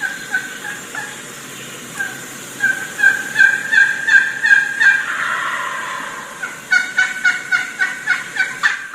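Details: Wild turkey hen in a group of about six or seven hens, calling to approaching gobblers; a run of sharp, repeated yelps with varied pitch, pausing and restarting, and a gobbling burst around the middle.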